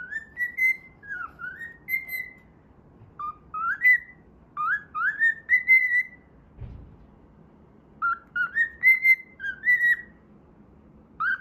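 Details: Playing pet cockatiel sings a whistled tune taken from the Pythagora Switch opening theme. Bright, pure notes slide up and down in several phrases, broken by one dull thump midway.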